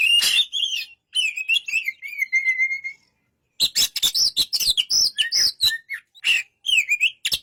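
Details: Oriental magpie-robin gives a run of warbled whistles sinking slightly in pitch, falls silent briefly, then launches into fast staccato chips and looping whistled notes.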